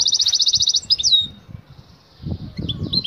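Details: Batbata call of an excited female European goldfinch summoning the male to mate: a fast pulsed buzzy trill, a sliding whistle, a quiet gap, then sparse high twitters with faint low knocks.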